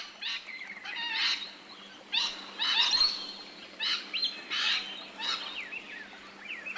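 Rainbow lorikeets give harsh, screechy chattering bursts, several overlapping at irregular intervals, with a faint steady hum beneath.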